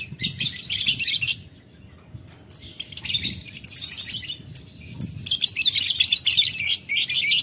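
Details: Lovebird in ngetik ngekek mode calling a rival: three long spells of harsh, buzzy high chattering separated by short quiet gaps, the last spell continuous and loud.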